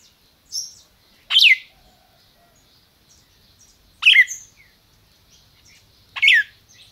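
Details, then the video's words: Red-crested cardinal in captivity in Brazil, calling: sharp, bright down-slurred notes given singly about every two and a half seconds, with soft high chirps between them in a quiet room. "Cardeal MAQUINA chamando e cantando"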